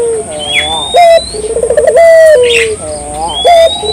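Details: Barbary dove singing, a recording meant to spark local doves to sing: a soft rising coo, a fast rolling trill and a falling drawn-out note, with thin whistled calls and chirps from other birds and a high constant tone.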